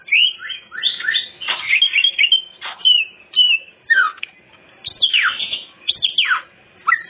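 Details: Greater green leafbird in full song, used as a lure for other birds; sweeping down-slurred whistles and rich warbled phrases, loud and clear, with short gaps.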